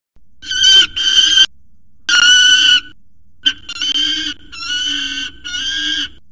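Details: Young male peregrine falcon at a nest ledge at CSU Orange, chasing his mother off the scrape and screaming loudly. Harsh, raspy wails in bursts of about a second, repeated with short pauses between them.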